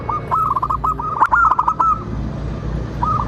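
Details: Zebra dove of a local strain, its song offered as a lure to set other birds cooing back: a long run of quick, bubbling coos, then a short pause and a fresh phrase starting, over low hum.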